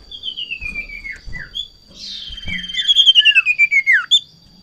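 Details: Breeding-condition Sirtu, agitated at a rival or female: a long gliding whistle falling in pitch, a short break, then a stronger trilled phrase sweeping downward, pulsing rapidly and ending in a sharp drop.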